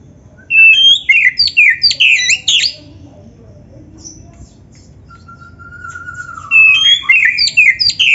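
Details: Oriental magpie-robin (black-breasted form) singing a training song filled with mimicked material, possibly canary phrases: a rapid burst of high, varied chirps and whistles, a long gap, a single long level whistle, then another quick chirping run.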